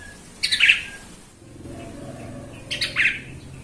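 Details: Yellow-vented bulbul, played as a lure to make other bulbuls sing: two short loud bubbling phrases of tumbling notes, separated by about two seconds of quiet, with faint low rumble between.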